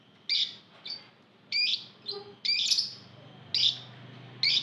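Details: Group of lovebirds calling together, a lure for other lovebirds to start singing; sharp, shrill chirps come irregularly, about one per second, with a few softer, lower notes between.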